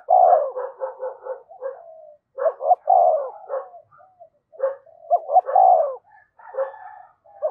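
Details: Decoy spotted dove rousing other doves: a fast run of short low coos, then several phrases of clipped notes and drawn-out hollow coos, irregularly spaced.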